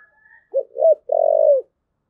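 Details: One thúc gù phrase from a spotted dove: two quick low hoots followed by a single long, steady, slightly falling coo.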